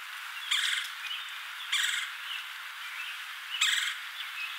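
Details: Red-bellied woodpecker calling at its nest hole in LaBagh Woods, Chicago, in May: three short, harsh rolling churr notes about a second apart, with quieter bird chatter between them.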